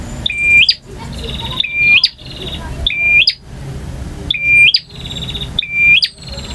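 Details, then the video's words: Long full-variation song of a male bar-winged prinia, in the ngotot, ngalun and kristal styles. Five phrases come in quick succession, each a high whistled note that lifts at the end into a crisp click, trailed by rapid buzzy ticking. "KICAU PRENJAK JANTAN FULL VARIASI DURASI PANJANG || NGOTOT,NGALUN,VARIASI,KRISTAL"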